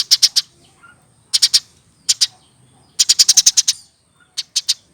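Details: Eurasian tree sparrow, hand-raised from a chick and over one year old, in full chatter: quick bursts of three to seven high, clipped chirps separated by short pauses, with a faint high hiss behind.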